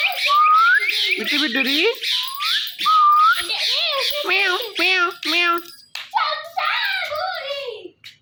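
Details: Talking ringneck parrot pours out dense jumbled chatter: rising whistles, wavering meow-like notes and speech-like babble running almost without pause, with quiet music underneath.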